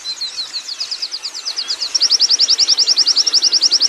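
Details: Wild Oriental white-eye (pleci ngalas) singing ngerol: starts with softer, spaced high chirps that speed up, then switches to a louder, crisp, evenly pulsed trill of rapid notes.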